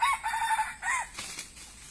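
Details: Red junglefowl used as a decoy to lure wild birds, giving a short crow: several clipped, tonal notes followed by a drawn-out, slightly falling note, over a faint steady hiss.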